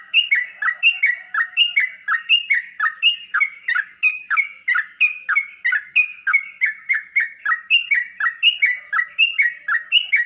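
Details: Sooty-headed bulbul, a recording meant to make caged birds reply and puff up: a long, dense run of bubbly, chirpy phrases packed closely, each dropping sharply then leveling off, on and on.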